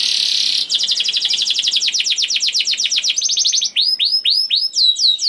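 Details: A young canary sings as a lure for other canaries: a buzzy roll, a quick trill of falling notes, then slower, clear downslurred whistles about four per second.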